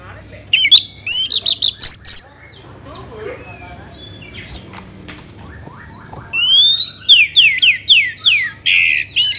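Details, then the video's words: Lure song of an orange-headed thrush from Bali, played to make other birds sing. Loud, rapid whistled notes come first, then a quiet stretch with faint chirps, then a series of clear descending slurred whistles. "Pancingan ANIS MERAH agar cepat Berkicau Gacor"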